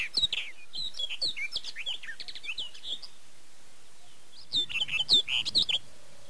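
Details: Breeding-season barred warbler at Erdőhorváti, Tokaj, Hungary, early May 2013, captured on a Canon EOS 7D. Quick chattering, scratchy warbled phrases of high chirps for three seconds, a short pause, then another busy outburst.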